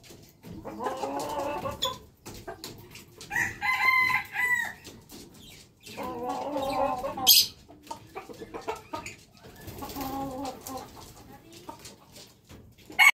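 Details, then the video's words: A red junglefowl rooster crows four times, about every three seconds, each hoarse, stuttering crow ending abruptly, with faint clucks and rustling between. "Jungle fowl rooster crowing"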